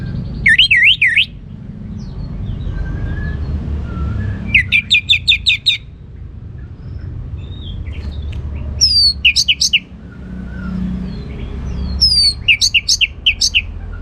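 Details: Captive orange-headed thrush singing in the ngeplong style: bursts of rapid, high, slurred chirping notes repeated in short runs about every three to four seconds, separated by pauses over a low background rumble.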